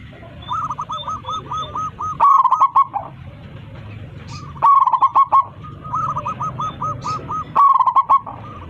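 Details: Zebra dove of a local strain calling its flock in full voice. Rapid bursts of bubbling coos about every two and a half seconds, with fainter, rhythmically repeated cooing phrases filling the gaps between them.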